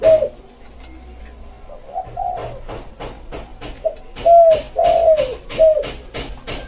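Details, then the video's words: Spotted dove (tekukur) recorded as a lure for wild birds, singing in the manggung style: soft, low hollow coos in short phrases, with sharp clicking taps throughout. "Suara Tekukur buat pancing burung liar"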